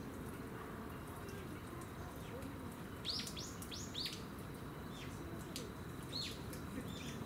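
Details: Japanese leaf warbler (Phylloscopus xanthodryas) bathing at Gongenyama Bird Sanctuary on 10 October 2015 gives a few sharp, high, downslurred chip notes, scattered irregularly over a steady rush of water and low background noise.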